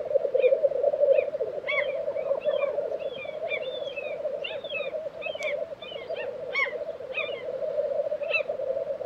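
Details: Lekking black grouse recorded in April 2023 at Tiveden, Sweden. A continuous low, throbbing bubbling carries throughout, overlaid by many short higher chirps and whistled notes scattered across the clip.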